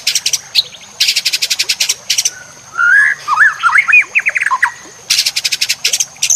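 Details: White-rumped shama, used to train other shamas: bursts of harsh rapid chattering alternate with a short melodious phrase of looping whistles, over a steady background hiss of water.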